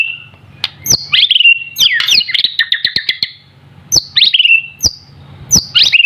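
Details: Young white-rumped shama, still in juvenile plumage yet already singing actively: rich varied whistles, sweeping slurs and a fast rattling series of clear notes, interspersed with sharp clicks, over a faint low hum.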